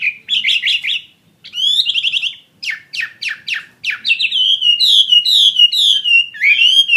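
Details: Fighting-type Chinese hwamei, a caged bird, delivering bright whistled bursts and quick trills, separated by short silences, ending in a long series of clear, wavering whistles that slide up and down.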